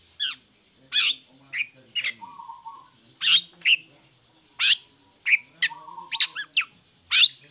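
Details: Singing long-tailed shrike used as a lure for sluggish or moulting shrikes, its cage cover removed: spaced harsh rasps and short chirps, interrupted by a level whistled note.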